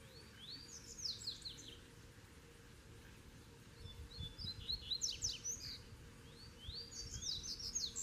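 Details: Double-collared seedeater in a territory where two birds sing at a distance from each other: three bursts of fast, high, sharply slurred notes over eight seconds, somewhat distant, with steady hiss and a faint low hum.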